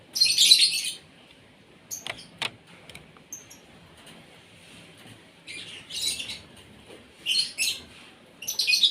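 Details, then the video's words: An Asian pied starling at its morning feed, meant to make it sing actively, lets out short loud bursts of harsh scratchy chatter between long quiet gaps, plus a few sharp clicks and faint thin whistles. "SARAPAN PAGI BURUNG JALAK SUREN SUPAYA GACOR"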